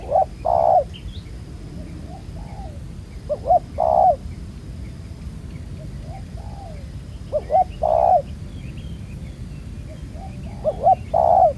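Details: Spotted dove, a wild field bird with black neck spots, cooing during ground-decoy trapping; stuttered short notes leading into a long low coo, phrases spaced about three to four seconds apart, faint chirps of other birds between them.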